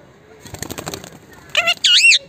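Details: A pet talking Indian ringneck parakeet: a quick rustle of flapping wings, then two brief nasal, voice-like phrases, the second swooping up and down in pitch.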